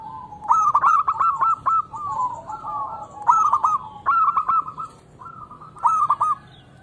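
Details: Song of a local zebra dove, played to encourage silent doves to sing: repeated phrases of rapid stuttering clicks running into bright cooing trills, several phrases in a row with brief gaps, faint hum underneath.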